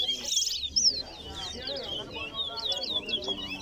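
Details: A towa towa, or chestnut-bellied seed finch, competing in a Guyanese singing race at Lusignan Ground. A bright opening burst is followed by a string of short twisting whistled notes, over spoken counting and crowd murmur.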